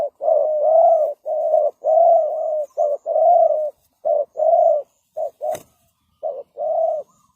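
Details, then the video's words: Spotted dove cooing as a decoy to lure birds. Loud, close, low rounded coos in phrases of short and drawn-out notes, with a sharp click partway through. "The Sound Of Spotted Dove"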